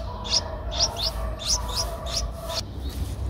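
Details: Streak-eared Bulbul nestling aged 11 days, recorded 13 April 2023 in Ubon Ratchathani, Thailand, utters several sharp, high squeaky chips in an uneven series, then falls quiet, with a low steady hum underneath.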